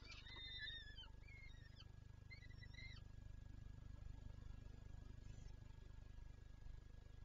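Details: Peregrine falcon in Lublin, Poland, on 23 April 2024, calling while wanting to feed its chicks: three drawn-out, harmonic-rich wailing notes in the first three seconds, then only a steady low hum.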